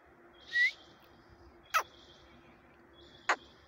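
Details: Quail in the jungle, recorded 6/1/2021, giving a short rising whistled note followed by two sharp, clicking calls spaced over a second apart, with a low constant hum behind.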